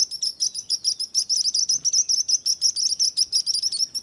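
Sparrows chirping in a fast, steady stream of short, high, bright notes, about five to six per second, overlapping as if from several birds.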